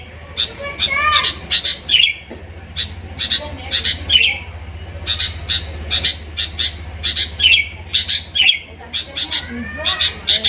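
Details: Sooty-headed bulbul (kutilang) singing: short sharp chirps repeated in quick bursts, mixed with brief downslurred whistled notes, over a low steady hum.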